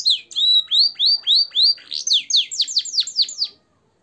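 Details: Canary with a blackthroat and sanger influenced song, recorded for training caged birds: a series of loud, evenly repeated whistled notes, about four a second, changing to quicker downslurred notes before stopping abruptly.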